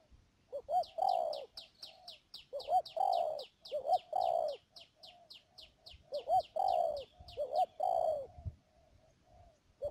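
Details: Spotted dove used as a decoy for trapping at Mương Điều, Đầm Dơi, Cà Mau, 12 March 2019: short paired notes then a longer falling coo, phrases repeated, with rapid high chirping from another bird overhead.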